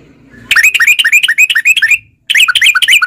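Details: Sooty-headed bulbul used as a lure to make caged bulbuls sing: a fast run of loud, bubbly slurred notes with sharp hooked inflections, pausing briefly before a second rapid burst.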